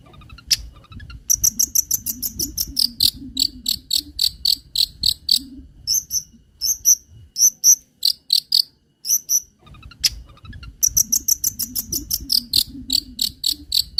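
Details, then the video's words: Long-tailed shrike song recorded to lure and tutor other birds: runs of sharp, high chips repeated rapidly, several notes per burst, broken by short pauses, over a faint low hum. "PANCINGAN CENDET FULL MATERI ISIAN SUARA JERNIH DAN NYARING"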